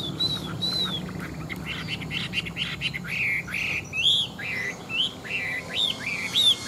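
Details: Big-bodied Chinese hwamei, an old wild-caught caged fighting bird with a fine forest voice, gives repeated high, slurred whistles and short rising notes over a noisy background, growing louder toward the end.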